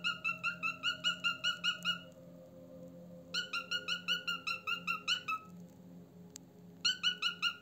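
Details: Pet cockatiel indoors giving quick runs of bright, clipped, even chirps, about two or three each second, in three bursts separated by pauses, over a low steady hum.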